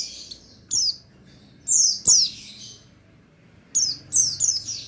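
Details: Male buxtoni white-eye, a caged songbird, used as a lure to get other white-eyes singing: short bursts of thin, high, downward-sliding chirps, in clusters of two or three separated by quiet gaps.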